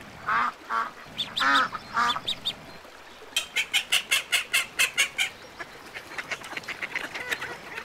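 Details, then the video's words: Several nasal quacks from ducks on a lagoon give way to a rapid, even string of high peeping notes, then softer, scattered chatter. "Som de Pato - Patinhos na Lagoa - Duck Sound"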